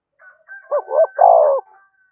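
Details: Spotted dove thúc gù coo, used to lure wild doves: one soft phrase of two short hollow notes leading into a longer, fuller coo, against silence.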